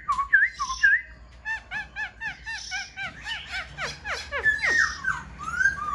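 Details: Caged black-throated laughingthrush singing up close, tail fanned and wings lifting: opens with two loud rising whistles, then rapid repeated slurred notes and descending sweeps, ending in bright whistled phrases.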